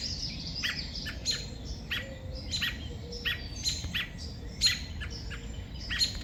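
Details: Robin calling out after a crow took its two young, on a sad morning: a run of sharp descending chip notes repeated roughly every half second, with faint background chatter of other birds.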